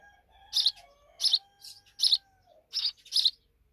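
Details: Half-grown sparrow babies chirp in rough bursts, five or six in under four seconds, while a thin steady tone runs faintly beneath.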